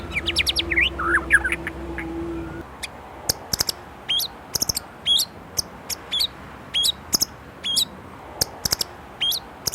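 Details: White-rumped shama from Indonesia opening with a jumble of falling, slurred notes over a low steady hum, then a long series of sharp, clicking chips and short high whistles spaced about half a second apart.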